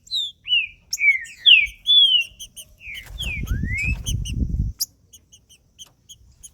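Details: Green-winged saltator, trinca-ferro macheando song for stimulating another male: rich sliding whistles at the start, a rumbling low noise in the middle, then sparse faint high ticks.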